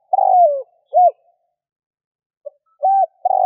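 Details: Spotted dove cooing in a 2021 recording meant to lure wild doves. A falling long coo and a short arched note are followed by a gap, then a short coo and the next long coo begin. The background is quiet.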